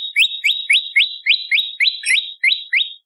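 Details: Bar-winged prinia song used as a training recording for songbirds: a steady run of short, sharp notes that rise quickly at the end, repeated about three to four times per second, clear and loud with no other sounds.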